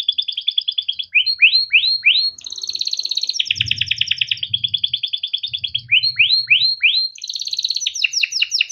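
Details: Yellow canary song for teaching juveniles: fast chattering trills alternate with slurred downward-swooping notes repeated in sets of three or four, with brief low background rumble.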